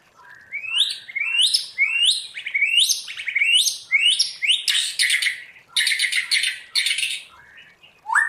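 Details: White-rumped shama, a captive bird trained to sing forest-voice songs, repeats rising whistled notes in steady succession, then switches to dense, harsh, high rasping bursts.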